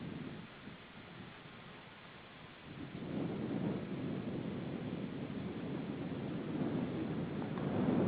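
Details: Steady rain and wind rumble that grows louder after three seconds, with no animal calls.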